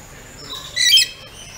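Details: Pet rainbow lorikeet, kept as a talkative pet. It gives a single loud, rasping, high-pitched squawk lasting about a quarter second, framed by faint hiss.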